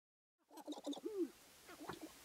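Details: Male sharp-tailed grouse displaying at a spring lek in the Namekagon Barrens, Wisconsin, competing for dancing areas before hens; short hooting and cooing notes in a quick cluster, then quieter clucks.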